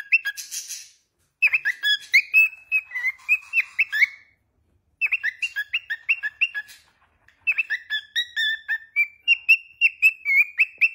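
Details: Whistled phrases from a chatty pet cockatiel: three bursts of fast, bouncing notes sliding up and down, separated by short silences, the last phrase steadier and more level.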